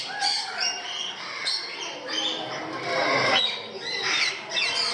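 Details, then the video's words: Parrots in Gdańsk, Poland, giving harsh, rising squawks and screeches that come in quick bursts, several birds overlapping, with human voices murmuring in the background. "Parrots in Gdansk, Poland"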